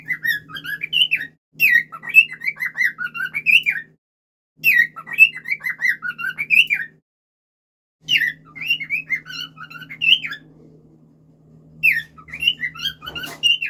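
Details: Cockatiel song: bursts of warbling, whistled phrases that rise and fall, with brief pauses between them.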